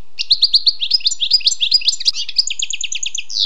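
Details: A wild European goldfinch pours out a continuous run of quick, liquid, slightly buzzy notes, several per second, with higher clear notes near the end.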